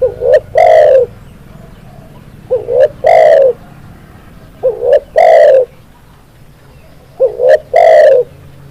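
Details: Spotted dove (tekukur) tutor song for getting birds to sing. Four cooing phrases roughly every 2.3 seconds: a quick pair of rising coos, then one drawn-out resonant coo, on a quiet background.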